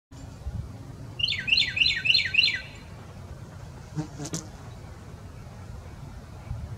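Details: Carolina wren singing: a quick run of five identical bright, downward-sweeping whistled phrases packed into about a second and a half, then a short higher burst of sound, over a steady low rumbling background.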